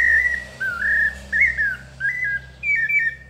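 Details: Pale-breasted thrush giving melodious paulista-style song: five clear whistled phrases, some flat and some looping up and down, about two per second, over a steady low background hum.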